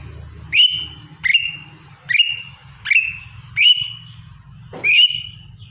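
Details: Lesser green leafbird singing its morning routine: six loud whistled notes, each with a sharp rising onset levelling into a long even tail, spaced under a second apart over a low steady hum.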